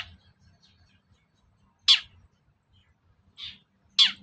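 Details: Long-tailed shrike, a recording played to get shrikes singing. A quiet start gives way to three harsh rasping notes, the middle one softer, with faint low background noise.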